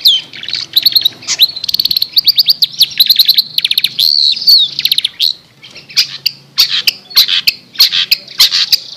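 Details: Long-tailed shrike chirping for bird mastering: long varied run of rapid chirps, trills and slurred whistles, pausing briefly, then resuming with sharp spaced chirps.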